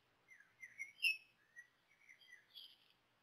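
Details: Common blackbird chicks receiving some of their first feedings, hesitant to eat and apparently needing coaxing, recorded 18 May 2018 at 13:31: a short run of thin, high chirps, some rising, ending in a brighter squeaky burst.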